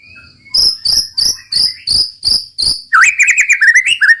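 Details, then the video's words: White-rumped shama (murai batu) singing roll tembak, seven loud buzzy shots repeated about every third of a second, then breaking into a fast rolling warble of wavering whistled notes. "muraibatu roll tembak ajib bikin lawan naik emosi dan ikutan gacor"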